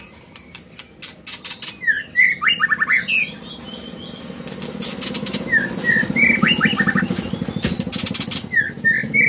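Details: Scarlet minivet delivering repeated sets of clear, slurred whistles, several notes per burst, among crisp clicking taps and a low background hum.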